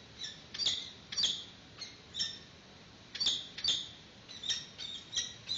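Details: At a webcam-monitored peregrine falcon nest in 2019, the female arrives with a yellow bird for the chick's first meal. Repeated high squawking chirps sound steadily, about two per second, with brief gaps.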